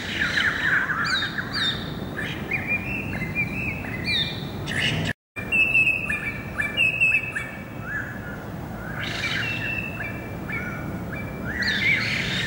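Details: Greater racket-tailed drongo song, 7 February 2018, a long varied sequence of ringing metallic notes, clear whistles and harsh chatter, often several notes stacked together, with a brief break midway and constant background hiss.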